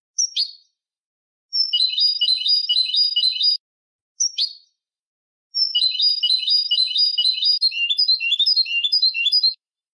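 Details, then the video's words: A Malagueño canary sings high, rapid rolling trills in long phrases, each opening with a short sharp falling note; nothing else is heard. Recording meant for training young canaries. "canto malagueño"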